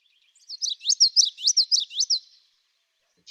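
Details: Common yellowthroat (Geothlypis trichas) singing its bright, rolling witchety-witchety song: about five quick, high, slurred notes in under two seconds, with no other sounds.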